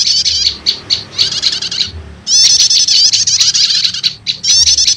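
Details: Prenjak lumut prinia lure recording combined with prenjak setater, used to quickly draw wild prinias: dense bursts of high, rapid chirping trills broken by a short pause, then a long unbroken stretch of overlapping twittering notes.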